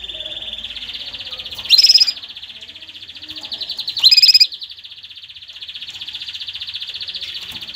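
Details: Canary singing, used to teach young birds and to stimulate mating: a long, fast, even trill held at a steady high pitch, broken twice by short, louder, sharper rising notes before the rolling trill resumes.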